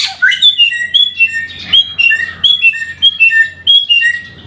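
Samyong singing a lively string of clear whistled notes, each short phrase rising and falling in quick succession, with a faint low hum behind.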